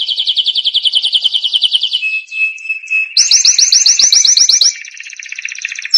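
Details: Canary (Serinus canaria) song used for training young canaries to sing: bright, rapid trills, a fast rolling phrase, a steady whistled note, then quick high repeated chirps about seven per second.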